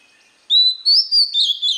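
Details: White-rumped shama song for training young birds: a short, loud phrase of clear whistles, a long rising note followed by quick slurred notes, steady and bright.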